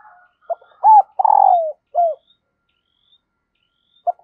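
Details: Female dove calling to stir the male, said to draw a quick response from wild doves: a few short coos, then a long vibrating purr-like coo and another short coo, then a lone soft note after a pause.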